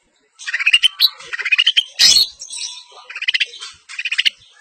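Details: Long-tailed shrike of the semi blangkon type performing East Javanese style isian song. Fast stuttering trills of squeaky notes rise in pitch, broken by one loud harsh burst, then further quick chattering trills.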